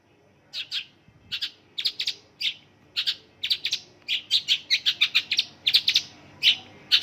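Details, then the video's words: Mongolian lark song loaded with local bird phrases, heard as short, sharp chip notes in pairs and small clusters, broken by brief pauses that shorten as the song speeds up. "Mongolian lark isian lokalan"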